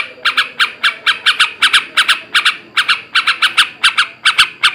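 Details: Male yellow-vented bulbul giving a 'ngebrem ngekek' song used to stimulate breeding in captive birds: rasping notes mostly in pairs and triplets, about seventy bursts a minute, with irregular gaps and a quiet background.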